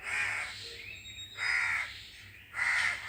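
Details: Three loud, rasping crow caws spaced about a second apart, each harsh and broad, with a faint thin whistle from another bird between them.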